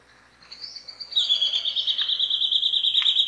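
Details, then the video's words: Rufous gnateater song opening with thin, high notes, then building into a loud, rapid, steady trill of evenly repeated high notes that runs to the end. "Canto do pássaro Chupa-dente"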